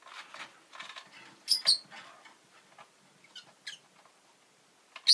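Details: A rosy-faced lovebird, one of two newly added to a household, gives a few sharp, high chirps, a quick pair near the middle and single notes later, over soft rustling and scratching, with possible town noise.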